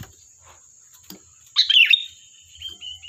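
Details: Sooty-headed bulbul song meant to coax other birds to answer: after quiet clicks, one quick warbled phrase of swooping notes followed by a thin, fading whistle, with a constant high-pitched hum behind.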